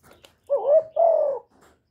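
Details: Spotted dove calling and cooing, recorded up close without background noise: one low, mellow two-part coo, a wavering first note sliding into a longer level second note, with faint soft sounds before and after.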